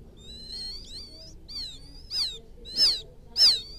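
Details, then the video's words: Quail chick in rice-field country calling to its mother, starting with thin wavering whistles, then three loud, sharp, downslurred peeps that grow stronger each time. "Suara pikat anak burung puyuh memanggil indukan,suara anak puyuh ladang,puyuh sawah"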